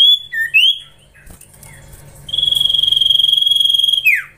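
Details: Young common iora being trained: a few quick slurred whistles, then one long, even, held whistle of nearly two seconds that ends in a swift downward sweep.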